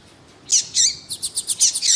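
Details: Lined seedeater (coleiro tuí-tuí) with a female calling to excite a male: two buzzy high bursts followed by a rapid run of short sharp chips.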